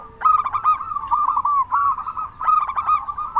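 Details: A local zebra dove sings loudly as a lure to draw answers from other doves. Three bursts of clipped, stuttering coos follow each other, each trailing into a drawn-out throaty note.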